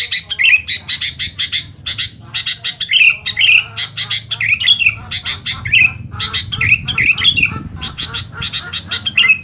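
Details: Sooty-headed bulbul singing loudly and noisily to challenge rivals: dense runs of harsh, buzzy chattering bursts, each short and rapidly repeated, with occasional brief bubbly upslurred notes woven in across the whole stretch; low background hum underneath.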